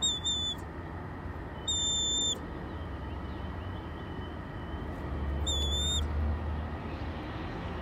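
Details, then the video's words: A wild male Red-tailed Hawk on May 7 gives three high, thin, whistled begging squeals while waiting to be given raw chicken, each about half a second long and a few seconds apart, over a steady low rumble of wind. "Wild Red Tailed Hawk Makes Calls"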